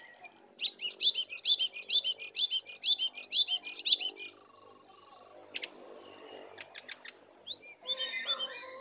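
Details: Fierce song battle of wild and caged sooty-headed bulbuls, 'isian'-filled: a fast run of twittering looped notes for about four seconds, then drawn-out pure whistles and scattered chirps.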